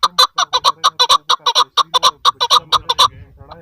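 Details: Female chukar partridge uttering loud, paired clucking notes in a hurried rhythm, with a faint low hum underneath.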